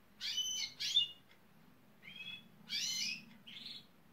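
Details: Gloster canary imitating building site machinery to attract workmen nearby; short harsh buzzy bursts in pairs with a thin trill between, separated by brief gaps.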